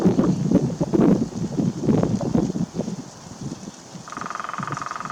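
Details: Nuttall's woodpecker in Tustin, California, on 25 February 2021, gives a single fast, even drum roll of rapid taps lasting about a second, after several seconds of gusty wind rumble.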